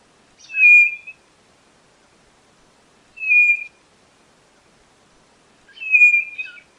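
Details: White-bellied nothura, a tinamou of northeastern Brazil: three clear whistled notes near one pitch, each about half a second long with a slight sliding start, spaced roughly every two and a half seconds against a quiet background.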